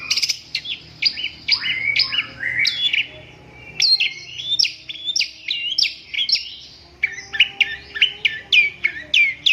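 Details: Cendet, the long-tailed shrike, in a dense chattering song of quick high whistles, each slurring downward or flicking up, delivered almost nonstop with only short gaps between phrases.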